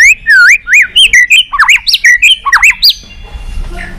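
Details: Long-voiced fighting song of a white-rumped shama: about a dozen loud, looping whistled phrases in quick succession, each a rising-and-falling slur, fading to quiet at the end.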